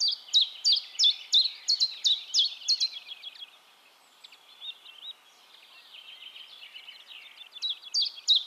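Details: Common chiffchaff (Phylloscopus collybita) singing in Heemskerk, the Netherlands: sharp, high, downward-slurred notes repeated about three times a second for three seconds, then a softer, quieter warbling stretch, before loud notes resume near the end.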